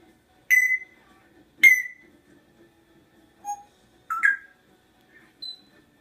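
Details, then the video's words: Talking parrot giving short, clear whistled notes, some sliding upward, in scattered bursts separated by pauses against a quiet background. "Talking parrot"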